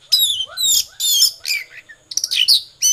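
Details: Oriental magpie-robin delivering konslet song, a fast stream of bright whistled notes and scratchy trills in closely packed bursts, with soft lower swooping notes faintly behind.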